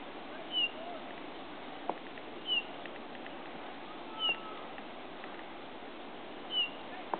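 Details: Male Eurasian bullfinch at the Broadlands nature reserve, Hereford, giving soft, short, descending piped notes, four in all, spaced about two seconds apart, over steady background hiss with a few faint clicks.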